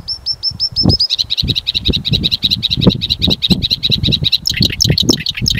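A Bluethroat sings fast and varied: a run of about eight clear whistled notes, then rapid ringing, chattering phrases, over low rumbling background noise.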